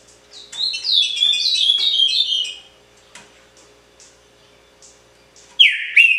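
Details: Caged trinca-ferro, or Green-winged Saltator, singing pixarro: a cascade of high whistled notes sliding downward in a tight run, quiet scattered chips, then a sudden loud descending whistle.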